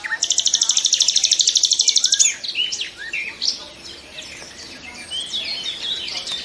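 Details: Nightingale song begins with a long, fast, mechanical rattle of repeated high notes for two seconds, then shifts to looser whistled and chattering phrases that grow quieter.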